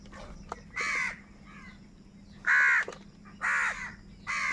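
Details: Food-fighting crows giving loud, grating caws about a second long, spaced irregularly, four strong calls with a faint hum beneath.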